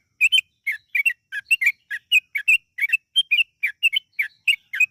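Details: Yellow-vented bulbul song played as a lure to make birds sing long and briskly: a dense, lively stream of liquid chirping notes, many paired, delivered with hardly a break.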